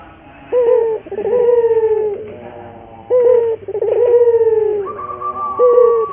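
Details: Local puter dove in vigorous song, used as a lure and training song to make other puter doves sing: low hoarse coos, each short note followed by a longer rolling, slightly falling coo, phrases repeating about every two and a half seconds.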